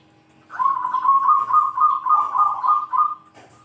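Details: Perkutut, the zebra dove, calling rivals with a big 'kung' voice: one sustained, rapidly pulsing, rolling coo of nearly three seconds, steady in pitch, with a brief note after it.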